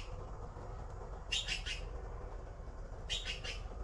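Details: Blue magpie nestlings waiting to be fed: two brief buzzy, scratchy call bursts, each made of a few quick rasping notes, about two seconds apart, with low background hum.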